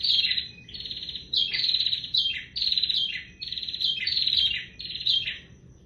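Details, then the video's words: Bar-winged prinia singing actively: loud, buzzy, rapidly trilled phrases delivered in quick succession with brief pauses, each phrase dropping slightly at its end; a faint high steady tone in the background. "prenjak tier gacor"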